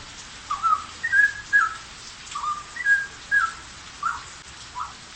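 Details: Straw-headed bulbul in a cage, singing busily: a run of mellow, liquid whistled notes, some rising and some falling, delivered in quick bubbly bursts roughly twice a second, steady and clear over low hiss.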